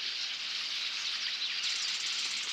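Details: Before sunrise on 12 July, in a cattail marsh at Lake Helena, Montana, a massive flock of a hundred or more bank swallows makes a roaring, buzzy wall of high twittering, merging into a steady hiss with no pauses, audible from hundreds of yards away.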